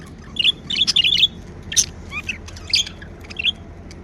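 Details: Pet budgerigars, described as happy, chirping: quick clusters of bright, warbling chirps in rapid bursts with short pauses, plus scattered single high notes against a quiet background.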